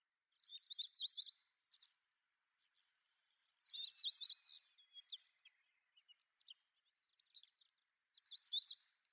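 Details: Siberian long-tailed rosefinch (Carpodacus sibiricus) calling: three bursts of high, tinkling twitter a few seconds apart, with scattered soft single notes between them.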